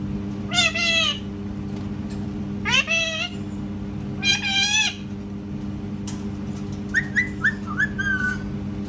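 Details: Parrot mimicking cat sounds: three nasal, wavering meows about two seconds apart, followed by a quick series of short whistled chirps and squeaks, with a constant low hum in the background.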